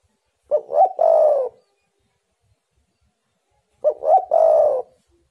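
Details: Hollow, low cooing of a spotted dove, played to draw wild doves into calling: two identical phrases, short-short-long, separated by roughly three seconds of quiet.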